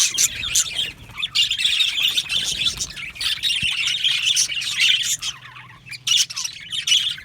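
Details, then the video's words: Colony of yellow male budgerigars in an aviary producing continuous scratchy, buzzy chatter and squawky chirps, with a few short pauses toward the end. "Beautiful Yellow Male Budgies Birds Chirping sounds"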